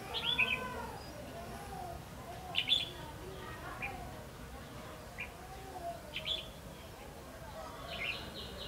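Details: A red-whiskered bulbul used as a trap or fighting lure gives short, bright, chirpy phrases every two to three seconds, over a soft background murmur.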